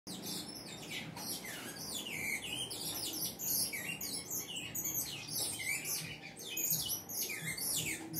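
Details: Saffron finch singing at length: a dense run of high, sweeping chirped notes, many sliding down then up, in quick irregular bursts over faint low hum.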